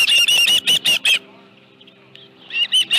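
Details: At the Dunrovin Ranch nest on 25 July 2018, around 5:23 PM with a live fish present, an osprey gives a fast string of piercing whistled chirps, falls silent for over a second, then resumes with three more.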